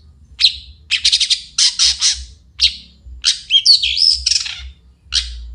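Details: In the morning, a long-tailed shrike gives clipped, rattling buzzy notes in quick clusters, then a longer warbled passage of twisting squeaky whistles before a final harsh chip.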